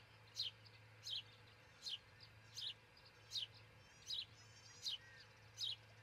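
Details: A nesting osprey pair near Charlo, Montana, before dawn on June 22, 2018, caught by a nest cam: eight sharp, high, falling chirps at a steady pace, roughly one per 0.75 seconds, over a low electrical hum.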